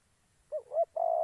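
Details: Spotted dove decoy bird used for trapping in Gia Lai, Vietnam: two short hooting coos followed by a longer, steady low coo that is cut off at the end, over a quiet background.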